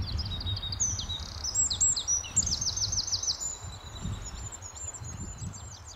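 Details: Eurasian wren singing on an early May morning in 2012 at RSPB The Lodge, Sandy, Bedfordshire: a loud, very high, rapid outpouring of sharp notes and fast rattling trills, continuous for several seconds, over low wind rumble.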